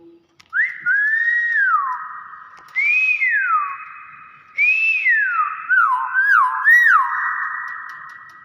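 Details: A Common hill myna (Gracula religiosa) gives loud, pure whistles in a small room on an overcast, rainy day: long swooping notes rising then falling, then a quicker run of short wavering whistles.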